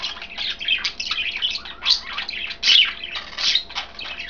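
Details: Pet budgerigars, three birds in green, blue and white, chatter as they eat kale; continuous rapid scratchy twitters and squeaky chirps overlapping, with a few louder bright notes.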